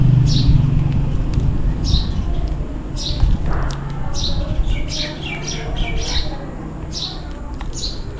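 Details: Sparrows calling for food on a rainy day: short, bright chirps repeated rapidly, about every half second, over a steady low rumble of rain and background noise.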